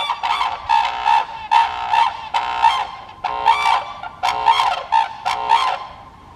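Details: Red-crowned crane recorded at Kibiji Tsuru no Sato in Soja, Okayama, Japan: a series of about eight nasal, honking notes with rich harmonics, delivered in short uneven bursts roughly once per second, with quiet gaps between.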